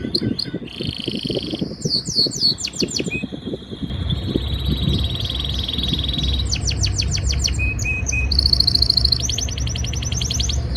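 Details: Male canary song during breeding season aimed at a female: rapid chirp series, a long even trill, then high twittering rolls and bright whistled tours over a steady low hum.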